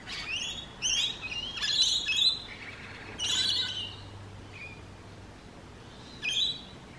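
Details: Rainbow lorikeets in urban eastern Australia, noisy while feeding and playing with companions: shrill, rasping screeches in quick bursts, clustered early then sparser, a final sharp squawk near the end, faint low hum beneath.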